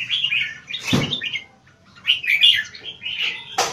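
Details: Red-whiskered bulbul, a caged competition bird kept in Singapore, noted for high-frequency keke singing and stamina: short bright warbled phrases, a loud click or knock near one second, then more chattering notes and another sharp knock at the end.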